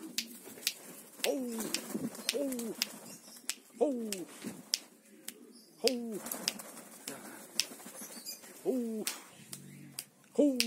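Pomeranian pouter pigeons give short, falling, hollow coos every one to two seconds, mixed with sharp clicks and knocks and faint chirps in the background.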